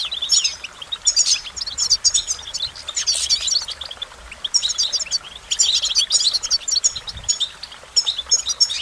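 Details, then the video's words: Goldfinch singing a motivating song: bursts of rapid, high, tinkling twitters and chirps in quick runs, with short pauses between phrases and a faint low rumble underneath. "Goldfinch Motivation Performance"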